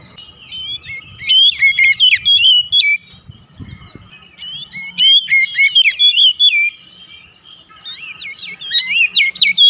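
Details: Oriental magpie-robin song played as a lure to make other birds sing: three loud bouts of rich, varied whistled phrases with quick upslurs and downslurs, separated by brief quieter pauses, with faint low background rumble.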